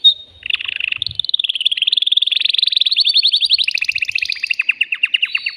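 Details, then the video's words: Male canary, caged and worked up, singing to excite a female for mating. It begins with a short call, then gives a long continuous trill that climbs gradually in pitch, then drops into slower, evenly spaced chirping notes. "تغريد ذكر كناري هائج يريد تكسير القفص يحفز الأنثي لتزاوج"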